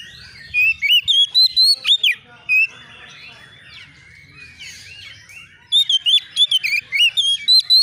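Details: Agitated young white-rumped shama responding to a rival, pouring out rapid, loud whistled notes that rise and fall, a fast series at the start and another dense burst toward the end, with quieter chatter between.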